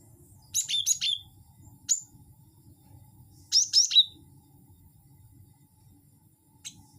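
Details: Bird-luring cinereous tit calls: bright, high chirp clusters of three to four notes, a lone extra note between them, then a faint final chirp, with a low murmur underneath.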